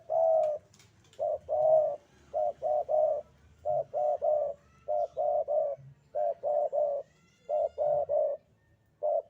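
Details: Javanese spotted dove in steady sandungan kuk-kuk calling: a long series of mellow coos grouped in twos and threes, about one group per second, against a quiet background.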